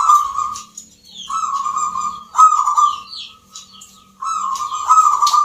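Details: Zebra doves (perkutut) singing at a rhythm contest in Yogyakarta, Indonesia, Nglagu Ngepat Mentaraman style: long, steady, low rolling coos run almost continuously, with brief gaps, over a busy layer of high chirping from other birds.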